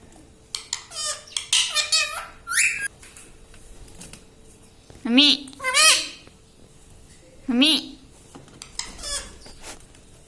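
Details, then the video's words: A pet parrot that speaks words like mummy and radhe radhe gives rapid, buzzy, wavering phrases. Several lower, curving syllables follow at intervals over a steady faint hum indoors. "Parrot talking everything || mummy mithu bolta hai"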